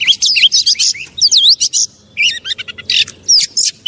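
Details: Oriental magpie-robin provocation song, loud looping whistles and squeaky rising notes in quick phrases, a short quiet gap, then a burst of rapid chattering and harsh notes.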